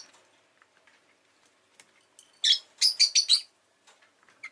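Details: Chirping pet rosy-faced lovebird: faint ticks and rustles, then a loud run of about five rapid, harsh, buzzy chirps in under a second, followed by quieter scattered notes.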